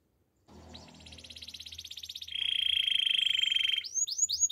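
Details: Belgian canary in morning song, delivering a long rapid rattling trill that shifts into a lower, louder buzzing roll, ending with a few sharp descending chirps; faint low background rumble.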